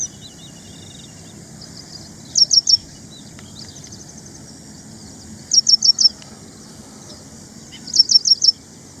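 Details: Ashy prinia (ashy wren-lark), a small songbird; three bursts of four high, sharp chirps spaced about three seconds apart, with faint softer chirps between them and steady background hiss.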